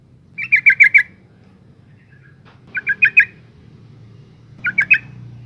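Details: Calling female yellow-vented bulbul, used to provoke males: three bursts of quick chattering notes, four or five per burst, spaced about two seconds apart, over low background rumble.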